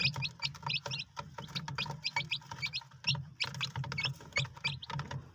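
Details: White Polish chicks, several together, giving short high peeps in quick overlapping bursts, some notes slightly rising, over a steady low hum and frequent sharp tapping clicks.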